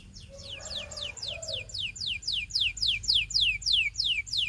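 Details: Belgian canary song for teaching young canaries: a steady series of high, sharply falling whistled sweeps, about four each second, growing louder, with a brief low hum early on.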